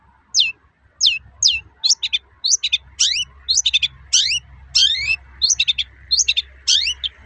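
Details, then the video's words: Long-tailed shrike toet-toet calling, intended to stir other shrikes to sing: lively stream of quick downward-sweeping whistled notes, often doubled or tripled, with a faint low hum. "Suara burung cendet gacor toet-toet memancing emosi cendet bahan agar cepat gacor"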